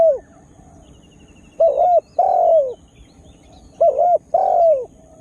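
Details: A spotted dove used as a lure to make wild birds agitated gives two matching phrases, each a short coo followed by a longer drawn-out downslurred note. A faint thin trill of another bird sounds above.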